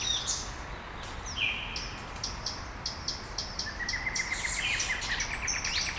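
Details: Dawn chorus of small birds in Brasília, Brazil: clear high whistled notes and chirps from several singers, ending with a fast rising series of repeated short notes.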